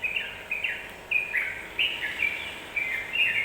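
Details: Yellow-vented bulbul sound meant to provoke rival birds: short bright gurgling phrases repeated about every half second, each a quick dip-and-rise flourish of liquid notes.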